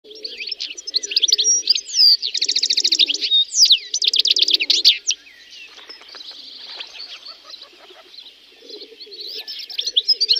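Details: Wild European goldfinch singing in nature. Fluid, high twittering phrases mixed with two dense buzzy trills, then a quieter stretch with softer chatter before the twittering picks up again.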